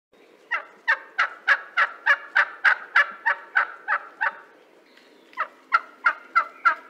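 Wild turkey giving a run of about fourteen harsh, throaty notes, roughly three per second, then a brief pause and a shorter burst of five more.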